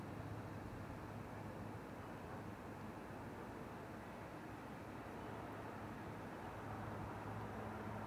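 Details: Steady broadband rumble like distant traffic or machinery, with a low hum underneath and no clear animal calls.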